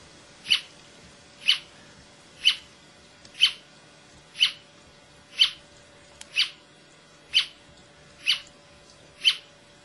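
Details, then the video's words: Brasilia tapaculo, a single bird singing at Serra da Canastra, Minas Gerais, Brazil, recorded 28 June 2004: short sharp high notes repeated steadily about once per second, ten in a row, over a quiet background with a faint steady hum. "Brasilia Tapaculo - Scytalopus novacapitalis"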